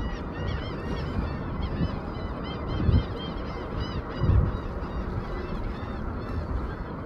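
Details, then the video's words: Osprey calling loudly while gliding: a steady run of short, arched, high chirps with overtones, repeated irregularly through the recording over a heavy, continuous low rumbling noise. "Huge Osprey Glides and Calls Loudly"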